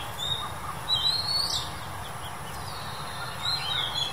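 Oriental magpie-robin giving short, high, sweet whistled phrases with slurred notes, loosely spaced, over steady low background hum.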